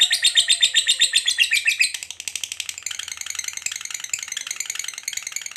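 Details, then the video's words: Lovebird ngekek panjang meant to provoke other lovebirds: a loud, fast shrill chatter for two seconds, then a softer, denser, rapid twittering trill continuing to the end. "Pancingan Suara Lovebird Ngekek Panjang"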